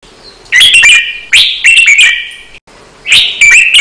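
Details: Red-whiskered bulbul training song for cage birds, counted phrases, doubled and fast-chopped: three short bright whistled phrases, each opening with sharp clipped notes then a sustained warble, separated by brief pauses.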